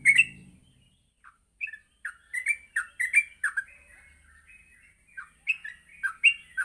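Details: Sparser morning phrases of a yellow-vented bulbul for training birds to sing: scattered short, bubbly notes with gaps between them, after a brief low hum at the very start.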